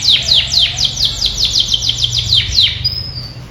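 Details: Canary in bright colours singing a quick, even series of about a dozen sharply descending sweeping notes, ending on a thin high held whistle, over steady low-pitched background noise.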